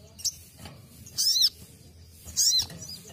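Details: Basic song of a ruby-cheeked sunbird for training: a faint tick, then two loud, high, arching notes about a second apart, the first sliding sharply downward.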